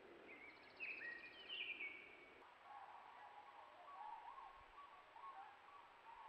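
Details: Tundra Swans calling, caught on a trail cam at a Ruffed Grouse drumming log in central Alberta, give a steady chorus of mellow, yelping hoots, preceded by a brief burst of higher, thin whistled notes from another source.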